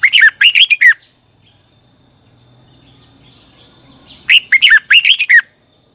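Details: Red-whiskered bulbul singing for song training: two bursts of rapid, loud warbled notes rising and falling, about a second each and four seconds apart, over a steady high insect drone.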